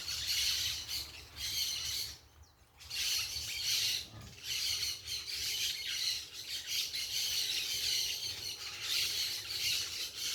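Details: Noisy parakeets in a natural setting, a continuous chorus of harsh high squawks from several birds at once, broken by a short near-silent gap early on, then resuming just as busily.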